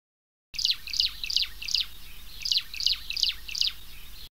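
Chilean swallow giving bright, high chirps in two quick runs of about four notes each, separated by a short pause; faint background hiss.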